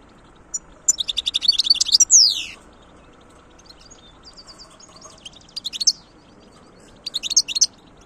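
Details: European goldfinch song: a rapid run of buzzy, twittering notes ending in a long descending slurred whistle, then quieter twitters and a final chattering burst.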